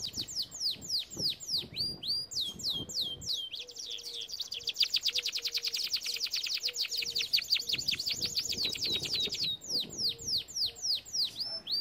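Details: Canary song used for training canaries: rapid falling whistled notes lead into a long, fast buzzy trill of repeated notes, then steep downswept whistles return near the end.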